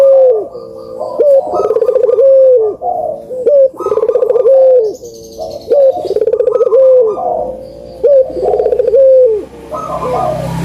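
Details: Repeated Barbary dove coo phrases, a lure for lazy doves: sharp onset, rapid pulsed roll, then a smooth falling tail, about every two seconds, with brief noise near the end.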